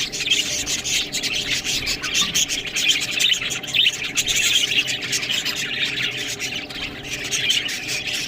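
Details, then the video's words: Budgerigars at a meal of green food produce a steady, twittering chatter of short high chirps, layered over scratchy clicks and gnawing rustles throughout. "Budgies Food Beautiful Best Green Food Eating"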